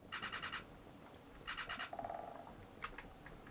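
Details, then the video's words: Black Woodpecker in Lapland, Sweden: two quick bursts of six or seven loud, harsh notes, then a short lower drawn-out note and a few scattered clicks. "Black Woodpecker"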